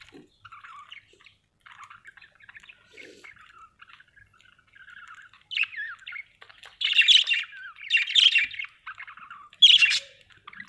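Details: An Australian budgerigar chirping: soft, quiet warbled chatter at first, then louder squawky chirps in separated bursts toward the end.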